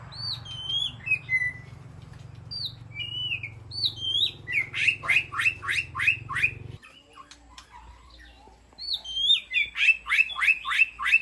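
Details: Captive white-rumped shama in an aviary calling to the flock, giving looping whistled notes followed by bursts of rapid, sharp descending chips repeated about three per second, a brief pause, then another fast chip series; faint low hum early on.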